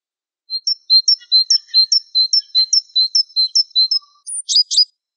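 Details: Java sparrow (Lonchura oryzivora), song: a fast run of high, bell-like chips, about two or three each second, ending in a few harsher buzzy notes.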